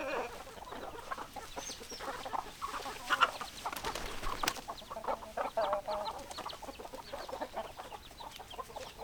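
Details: Chickens cluck in irregular bursts, with short staccato notes from several birds and a couple of louder peaks partway through.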